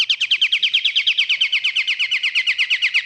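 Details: Lure recording of a pied triller: a steady, rapid trill of about twenty sharp, slightly downslurred high notes, evenly repeated several times per second, loud and clear with no other sounds.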